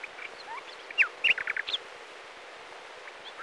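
A brief burst of bright, chirpy notes lasting under a second, a quick run of short high phrases over a steady outdoor hiss.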